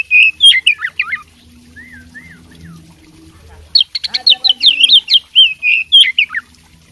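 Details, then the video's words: Fighting oriental magpie-robin, whose loud chirps and whistles give way to a few soft slurred notes, then burst into a rapid run of sharp high whistles. A faint low hum runs underneath. "suara kacer petarung bongkar isian gacor"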